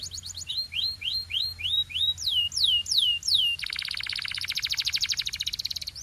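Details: Canary song built from tours of repeated notes: quick high chips, then a run of descending slurred whistles, then a fast dry buzzing roll in the last seconds.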